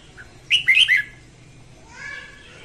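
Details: Morning song of a female red-whiskered bulbul, played to train birds and draw wild ones into traps: one loud, quick, jumbled burst of bright chirping notes, then a softer fading phrase.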